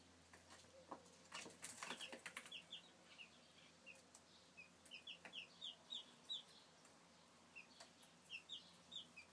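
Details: Chicks from 2013 peeping: short, high, downward-sliding cheeps, often in quick pairs or runs, with a burst of scratchy rustling near the start and soft clicks throughout.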